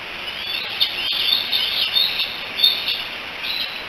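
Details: On 16 July 2018 at Decorah, three bald eagle nestlings hang out together, probably calling for their mother, giving a stream of sharp high chirps with brief louder peaks amid windy hiss.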